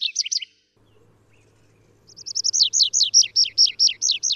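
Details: Wild canary (Serinus canaria) from the Canary Islands, Azores and Madeira: a short burst of whistled notes, a pause, then a loud, rhythmic series of downward-hooked whistles repeated about seven times a second.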